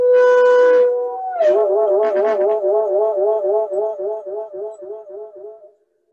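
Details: A brass-like instrument holds one steady tone, then warbles rapidly up and down for several seconds before fading out.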